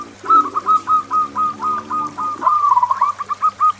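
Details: Local zebra dove singing loudly to draw other doves and set quiet birds singing; a steady series of short clipped coo notes with a rolling trill midway, a lower murmuring sound at the start and a faint hum.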